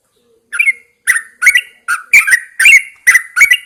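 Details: Morning song of a caged Yellow-vented Bulbul set outside at first light: lively, bubbling whistles in irregular bursts, several notes twisting up and down.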